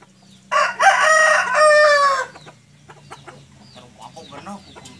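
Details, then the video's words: Comb-less white Sweater chicken giving one strong, rasping crow of nearly two seconds that rises and then holds. Soft clucks and murmurs fill the quiet afterwards. "Kokok Ayam Sweater Putih Tanpa Jengger"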